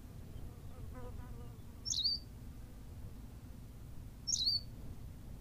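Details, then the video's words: Two high, squeaky chirps from a Berthelot's pipit on La Gomera, Canary Islands, spaced about two and a half seconds apart; softer, lower stuttering notes are heard faintly before the first, with steady low rumble throughout. "berthelot's pipit - long version"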